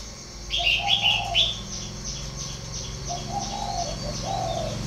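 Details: Spotted dove kept at a breeding farm in Ba Vì, northern Vietnam, giving soft rolling coos. Loud bright chirps from another bird come first, then continue more quietly with a low background hum.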